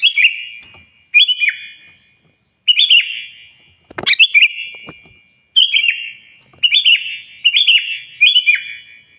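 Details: Sooty-headed bulbul calling out a rival with loud, lively song: a run of mellow whistled phrases with rolling downslurs, repeated often, broken by a single sharp tap.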